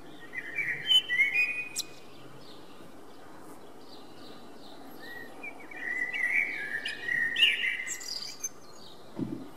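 Common blackbird singing two mellow, fluty warbled phrases several seconds apart, each ending in higher squeaky twitters, over quiet outdoor background noise.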